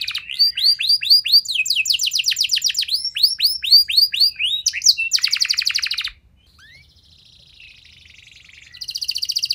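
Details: Canary singing to spur other canaries into long replies: quick repeated down-slurred whistles, then stretches of fast buzzing trill, a near-silent pause with faint soft notes, and a high trill returning at the end.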